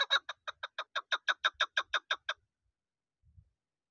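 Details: Chukar partridge, a young bird of this season used for hunting, delivers an even run of about fifteen crisp chuk notes in just over two seconds, then falls silent apart from one faint low knock.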